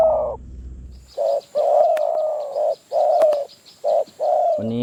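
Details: Spotted dove in the wild near Phrae, Thailand, drawn in by a decoy under dim, cloudy skies: a run of steady, mellow, low coos, some long and drawn out, with short pauses between.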